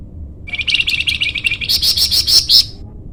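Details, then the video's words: Loud rapid trill from a flamboyan bird, played to lure or tutor birds: a fast stuttering run of notes that climbs in pitch and grows louder, ending in strong ringing pulses. "masteran burung flamboyan"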